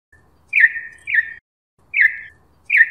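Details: Campo troupial (corrupião), Brazil, in the "canto clássico dobrado" style: four short chirping notes, each a sharp downward slur into a brief tail, given in two pairs with a pause between.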